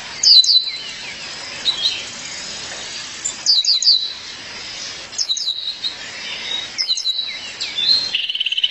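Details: High, rapid chirp clusters from a female violaceous euphonia calling her mate recur about every one and a half to two seconds, with fainter twittering between them and a steady background hiss.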